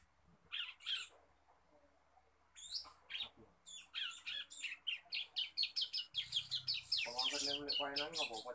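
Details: Young male Bar-winged prinia in the song-learning stage, giving scattered high chirps that quicken into a busy twittering stream, while a man speaks underneath during the final seconds.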